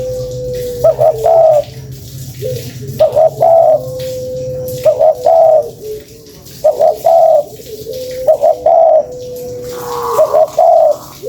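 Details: Spotted dove lure call: low, throaty cooing phrases of a few rolled notes, repeated about every two seconds over a steady humming tone.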